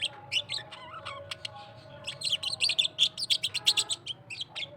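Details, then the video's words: Australian parrot singing, starting with scattered chirps and a slurred whistle, then breaking into a fast chattering run of sharp clicky notes, with a steady tone in the background. "Australian parrot singing"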